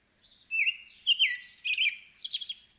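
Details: An American robin sings four quick liquid whistled phrases in a row, ending on a higher, scratchier note, with a clean quiet background.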